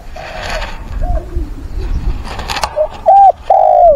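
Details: A spotted dove, a decoy bird used to stir other doves, calling for a mate and in competitive song, gives soft, hollow coos, then two loud, drawn-out coos near the end, with slight room noise behind.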